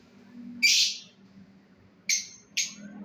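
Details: Breeding pair of lovebirds giving one harsh, high squawk followed after a pause by two shorter sharp chirps close together, against a low background hum.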